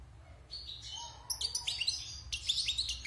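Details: Wild European goldfinch, caged for six months, singing as it comes out of its moult: lively twittering song of quick, tinkling, buzzy high notes that grows denser and louder, over a low steady hum.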